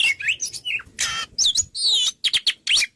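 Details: Oriental magpie-robin singing vigorously as a training recording: rapid looping whistles and sharp upslurs mixed with harsh broad rasping bursts, recorded with some room echo.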